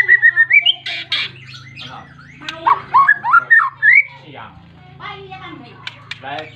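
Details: Captive white-rumped shama singing hard to call a rival, meant to provoke other shamas into song: loud whistled notes rising and falling with rapid chattering bursts, then quieter phrases, over a steady low hum.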